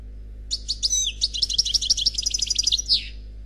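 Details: European goldfinch, an unpaired male, singing Khalwi-style song from a CD recording: rapid high twittering notes and metallic trills, with a few rising whistles and a closing buzzy note, in a steady run of about three seconds.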